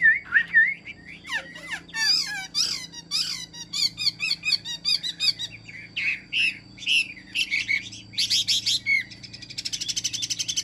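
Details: A caged Chinese hwamei sings a rich, varied run of loud whistles, slurred notes and rapid trills, the phrases tumbling quickly with little pause, over a faint low hum.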